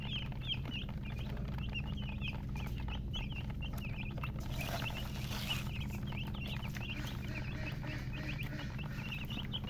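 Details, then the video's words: A flock of baby chicks peeps continuously in high, short, slightly downslurred notes that overlap several times a second, over a steady low rumble. "Baby "Chicks Chirping" Sound"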